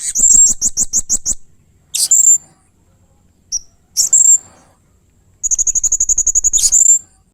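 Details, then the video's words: Blue-crowned hanging parrot giving strange, fierce 'main singa' sounds: a fast run of sharp high chips, scattered loud shrill squeals, then a long rapid rattling trill of about fifteen notes ending in a piercing squeal. "Burung Serindit Main Singa keluar kan suara aneh dan ganas"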